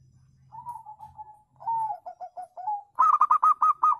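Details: Zebra dove, wild-type call meant to lure other birds into answering: soft falling cooing notes near one pitch, then a louder burst of rapid, evenly spaced staccato coos at the end.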